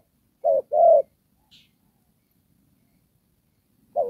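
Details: Spotted dove used as a trapping decoy, Đồng Pha style: one short-long pair of mellow coos, a long silence, then a single note starting again.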